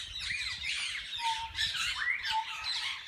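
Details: Parakeets of several species in a parrot zoo's walk-in aviary where they are fed and held by visitors; rapid harsh squawks about twice a second with a thin whistled note running beneath.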